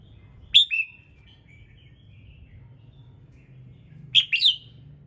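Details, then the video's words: Red-whiskered bulbul singing in the morning, played to prompt other birds to sing: a short bright whistled phrase near the start, a few faint trailing notes, then a loud three-note chirpy phrase near the end, over low background hum. "Chào Mào Hót Sáng Nhiều Âm Hay | KÍCH CHIM HÓT THEO LIỀN"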